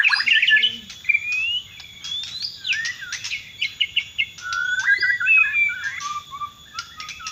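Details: Bornean White-rumped shama in full song, mixing fluting whistles, sharp clipped notes and wavering trilled phrases in quick succession, loud and varied, over a quiet steady background tone.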